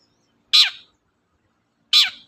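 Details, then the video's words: Long-tailed shrike (cendet) sound meant to provoke other birds to sing: two broad, harsh descending notes about 1.4 seconds apart in an otherwise quiet setting. "suara pancingan burung cendet"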